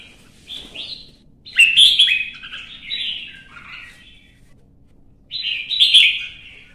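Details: Red-whiskered bulbul kept in a cage, singing in competition: a brief opening chirp, a loud tumbling phrase of bright whistles and slurs, a pause, then another strong burst.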